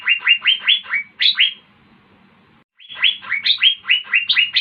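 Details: Asian fairy-bluebird in active song (gacor), giving two fast runs of bright, upslurred whistles, each note rising quickly, with a short silent gap between the runs.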